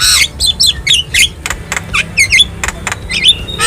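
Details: Wild Javan myna, recorded in nature for training caged birds to sing, giving harsh scratchy squawks and wavering whistled phrases in quick succession.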